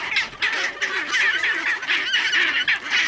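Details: Chinstrap penguins fighting in Antarctica: a loud, continuous chorus of rough, braying honks and squawks overlapping with barely a pause.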